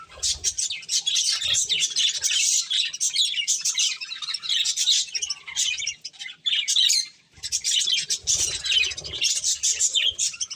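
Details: Budgies enjoying corn, chattering in a steady stream of high chirps and squawky warbles, broken by a short pause around seven seconds before the chatter resumes; faint low knocking from feeding below.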